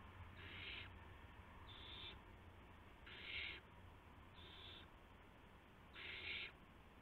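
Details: Owlets receiving prey from adult owls around midnight, March 19, 2016. Five harsh hissing bursts alternate between strong and softer, roughly every one to one and a half seconds, above a faint low hum.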